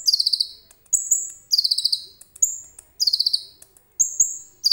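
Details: Phone recording of a common iora in full song loaded with cililin imitations: bright, piercing whistles traded with quick chattering clusters of harsh pulsed notes, cycling roughly once per second with short silent gaps.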